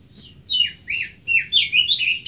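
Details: Greater green leafbird singing: rich whistled phrases that slur downward, four loud bursts in quick succession, each warbling and sweeping through a high range.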